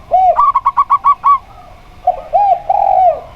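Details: Local zebra dove set against a spotted dove. A low coo leads into a brisk series of seven crisp, evenly spaced notes. After a pause come drawn-out, curved, lower coos.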